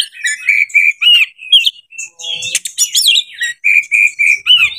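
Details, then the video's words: Provocation song of an Oriental magpie-robin in breeding condition: clear repeated whistled notes in short runs, broken by rapid buzzy and scratchy phrases, then returning to the steady whistles. "PANCINGAN KACER 2023/2024 HOT 🔴 KACER CEPAT JEBOL BIRAHI DONGKRAK EMOSI"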